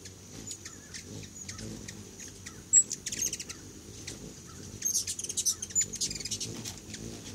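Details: Hummingbirds visiting a feeder of homemade food: thin, very high chips and rapid twittering bursts, clustered near three seconds and again from five to six and a half seconds, over a steady low background hum.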